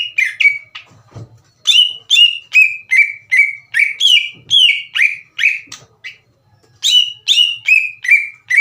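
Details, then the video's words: Green leafbird song meant to rouse slow-warming rival birds to sing back: rapid series of sharp downslurred whistles, roughly two per second, in long runs broken by short pauses, with faint low thumps. "MASTERAN DAN PANCINGAN CUCAK IJO LAMBAT PANAS UNTUK MEMICU EMOSI LAWAN AGAR GACOR"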